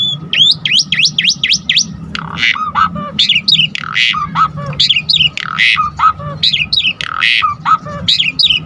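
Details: Energetic Asian pied starling song used to rouse other starlings into singing: a quick volley of rising whistles, then harsh grating bursts mixed with wavering whistled phrases, all rapid and varied.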